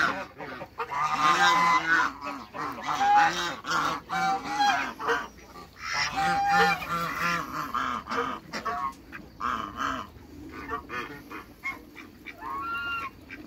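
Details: African geese, a couple in a backyard alongside other waterbirds, calling in long runs of rapid, nasal honks, about three or four a second, loudest early on and thinning toward the end.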